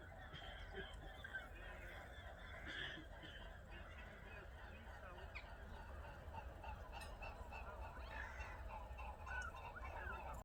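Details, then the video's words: Swans flying near a lake in autumn, heard from a bedroom window: scattered nasal honking calls over a low, steady rumble of background noise. "Swans flying and making sound"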